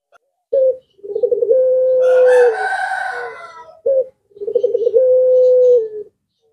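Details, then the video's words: Two long, level coos from a puter pelung collared dove, each starting with a brief note and a burst of rapid pulses, with a rooster crowing loudly in between. "Burung Jenis Lainpun Ikut Nyaut Jika Mendengar Suara Puter Pelung Ini"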